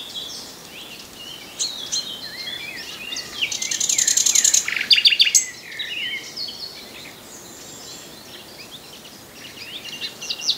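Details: Common nightingale singing amid other birds: a buzzy run of fast repeated notes followed by a sharp staccato rattle, with continual background chirping and twittering.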